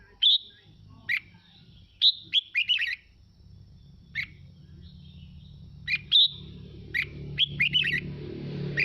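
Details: Natural 'mộc' singing of a red-whiskered bulbul, used to get other birds singing. Clusters of quick, sharp whistled notes alternate with single chirps and short pauses, while a soft low rumble builds near the end.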